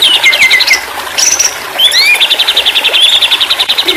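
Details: White-rumped shama song as therapy audio for a stressed bird that has stopped singing: descending whistles, a high held note, then upslurred whistles leading into a fast repeated trill.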